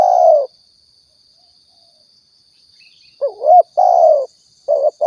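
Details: Spotted dove, known locally as tekukur or balam, in Riau, used as a lure for trapping and hunting; low cooing notes, a single coo then a rapid set of short rising-and-falling coos with a steady faint high hiss.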